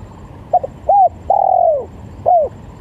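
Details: Lure recording of a spotted dove: quick doubled note, a short arched coo, then a long smooth coo sagging in pitch, ending with another short arched note; clean mid-pitched tones with little background.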